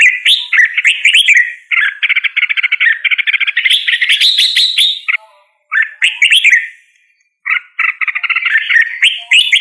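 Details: Red-whiskered bulbul song: long stretches of rapid chattering, warbling phrases with brief silences between bursts; loud and close, with no other sounds.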